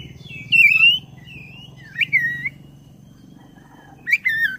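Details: Black-breasted oriental magpie-robin singing hard, used to stir caged birds into song: three loud whistled phrases spaced about two seconds apart, each a slurred, wavering note with soft notes between, over a steady low hum.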